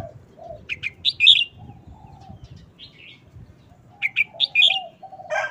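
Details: Red-whiskered bulbul delivering a short, quick-fire wild-style song: two bursts of bright, rising and falling whistled notes, each of four or five notes, over low dove-like cooing.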